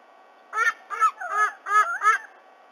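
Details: A black currawong, with its mate swooping a fledgling White-bellied Sea-Eagle back to its nest in Australia at morning, gives five loud, harsh, nasal honking notes in a quick run of under two seconds.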